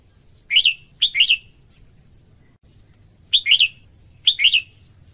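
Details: A female red-whiskered bulbul sings to excite males, giving clear chirpy bursts of two or three rapid notes in pairs, then a pause before two more bursts; a soft low rumble persists beneath.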